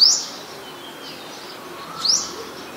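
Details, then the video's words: Olive-backed sunbird, a common small bird of the centre's mangrove forest, gives two thin, high, upward-slurred chip notes about two seconds apart against a quiet hiss. "นกกินปลีอกเหลือง (Sunbird)"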